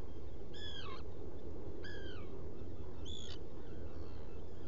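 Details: Burrow camera on Seal Island NWR, Maine, 30 June 2018 at about 2 a.m., with a Black guillemot in its nest burrow: three clear, down-curving harmonic calls roughly 1.3 seconds apart, the last one shorter and higher, over low steady rumble.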